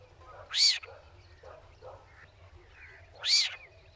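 Spotted Owlet giving two harsh, screechy notes about three seconds apart, with faint softer chatter between them over a low background hum.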